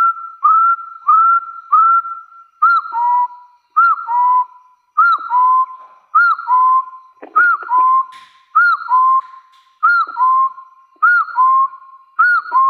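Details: Challenging rivals, a wild hill partridge first repeats single upslurred whistles, then shifts to paired notes: a short arched note followed by a longer rising whistle, about ten pairs in a regular series.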